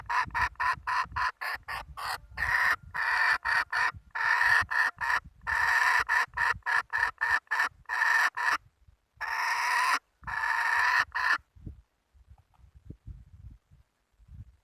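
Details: Hen giving a loud, harsh cackle of rapid repeated squawks for about eleven seconds, with brief pauses between runs, then quieter background noise.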